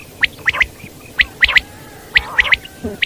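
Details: Wild common quail calling, clipped sharp notes in quick groups of three, each group about a second apart, repeated steadily over a quiet background.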